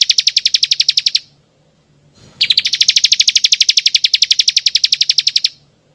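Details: Bar-winged prinia lure sound for attracting birds, giving a rapid, insect-like rattling trill of closely spaced pulses, stopping briefly, then resuming for about three seconds with a slightly stronger opening.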